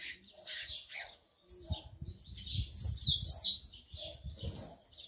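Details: Captive tico-tico (rufous-collared sparrow) males with females: loud, high chirps in quick clusters, then a run of sweeping, slurred notes. A low rumbling noise sits beneath.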